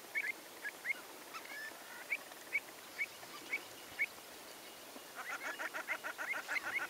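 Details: Common shelducks in Romania, April 2014: short sharp calls repeated roughly every half second, then a rapid, denser run of calls near the end over a steady hiss.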